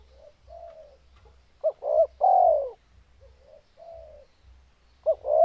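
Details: Spotted dove in full breeding condition cooing: soft, low opening notes, then two sharp clipped notes and a loud drawn-out coo. The phrase repeats, over a faint low rumble.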